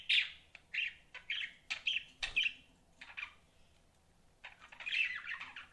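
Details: Budgerigars kept as pets giving a run of short, sharp chirps about every half second, followed after a pause by a softer burst of warbling chatter over faint background hum.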